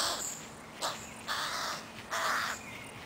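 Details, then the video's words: Crow chicks clinging to their mother, Helsinki, Finland, July 2011: three or four rough, drawn-out raspy caws at moderate volume, irregularly spaced, against a quiet outdoor background. "Crow Chicks won´t leave their mum"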